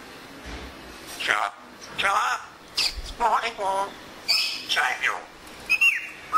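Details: African grey parrot at home mimicking human speech in Urdu and Pashto, its voice producing rapid word-like syllables and squawky phrases about once every one to two seconds, ending with a rising whistle.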